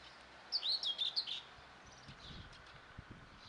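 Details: Helmeted guineafowl chicks: a burst of five or six shrill, high-pitched peeps in rapid succession, each a short wavering chirp, followed by faint scattered low knocks and steady hiss.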